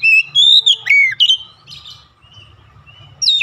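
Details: Oriental magpie-robin (kacer) calling with a few loud whistled phrases, sweeping and slurred notes followed by a quieter pause and a final bright burst.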